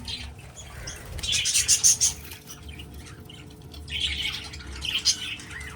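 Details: Budgerigars in a breeding aviary utter two clear bursts of shrill chirping and warbling separated by a quieter pause, over a faint constant hum.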